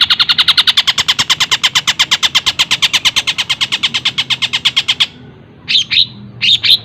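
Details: Long-tailed shrike pouring out a long, very rapid series of bright high chips, roughly two per second-beat, for five seconds, then two separate squeaky phrases; the song imitates tengkek buto, greja and kunti.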